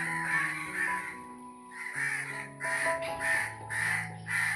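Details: Crow cawing from up in a tree, harsh rasping caws in a rapid run with a short pause near the middle, over steady background music.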